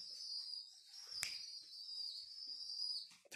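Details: Homing pigeon chicks, orphaned after their mosque minaret was restored, being hand-fed indoors: a long, steady, thin high squeal that runs almost without a break, with a sharp click midway and a short noise at the end.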